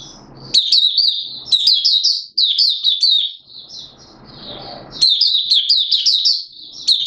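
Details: Malaysian mata puteh, an Oriental white-eye, singing buka sing in Singapore on 29 March 2023, warm humid weather with sudden showers; long runs of rapid, high-pitched twittering notes, briefly pausing mid-clip over faint background hum.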